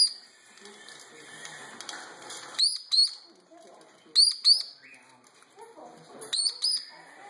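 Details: A very young Meyer's parrot gives high, sharp beeps in quick pairs, three pairs a couple of seconds apart. It is the sibling, heard in the background while the other chick eats and throws food in its new cage, with soft rustling and a person talking.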